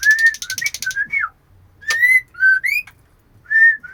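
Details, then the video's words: Oriental magpie-robin female calling the male: a buzzy run of notes, then separate clear whistles, each rising or falling, spaced by short silences. "Murai Betina Memanggil Jantan"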